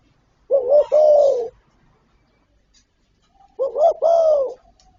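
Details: Spotted dove giving two deep coo phrases three seconds apart, part of a full calling and cooing repertoire; the second opens with a quick rising double note before the long mellow coo.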